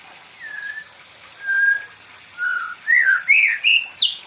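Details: A pet white-rumped shama singing for company, called spoiled by its keeper: clear sustained whistles spaced apart, then a quickening series of looping, rising whistles ending in a high upward sweep.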